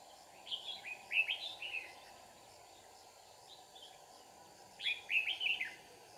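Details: Decoy red-whiskered bulbul singing during trapping at Kim Bôi, Hòa Bình, Vietnam: two short bursts of warbled, slurred notes separated by a pause, over steady hiss and insect drone.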